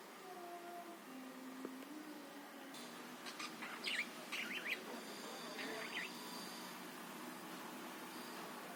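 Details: Budgerigar song used as a lure to provoke other birds into singing: a few low whistled notes, then bursts of sharp, scratchy chirps and twittering in quick irregular clusters against faint steady background hiss.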